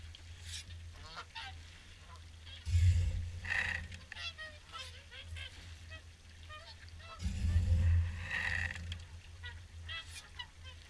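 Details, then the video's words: Evening feed for swans at Caerlaverock: a flock calls in scattered nasal honks and bugling notes, with two strong bursts of wind noise and faint water sounds. "Evening Swan Feed"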